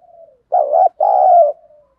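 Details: Spotted dove kept as a lure bird to provoke rivals, singing in the 'giọng thổ' style: one short throaty coo followed by a longer, rolling, steady coo, with faint soft coos trailing before and after.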